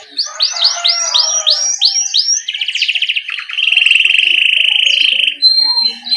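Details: Canary singing 'ngerol', recorded as a master track to stimulate young canaries. About seven looping upslurred whistles repeat in quick succession, then a rattling trill and a long smooth rolling trill, ending in a thin whistle.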